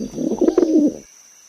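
A pigeon gives one soft, throaty coo lasting just under a second, low and slightly wavering, with a faint thin whine in the background.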